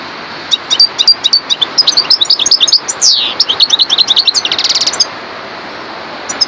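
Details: European goldfinch, subspecies parva, in sustained song: rapid high twittering and tinkling notes, a long descending slurred whistle midway, then a dry buzzy rattle before falling quiet.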